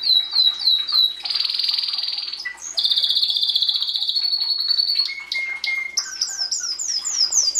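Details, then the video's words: Singing canary: a varied, loud song of repeated high down-slurred notes, sustained buzzy rolls, clear whistled tones and fast trills, changing phrase every second or two. "Canary singing"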